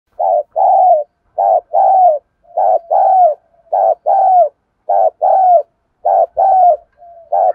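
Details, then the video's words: Spotted dove cooing to provoke other males into calling, a rich rural-style voice: paired low hooting coos, a short note then a longer rolling one, repeated about every 1.3 seconds with soft connecting notes, no other sounds. "cu gáy mồi thúc gù căng lửa giọng hạp bổi, mở lên chim bổi gáy theo sung mãn dài lâu"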